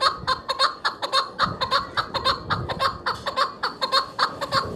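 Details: A chukar partridge, presented as a hunter's chukar sound, gives a string of clucking chuck notes at roughly two per second, slightly uneven in spacing, over a low rumbling background.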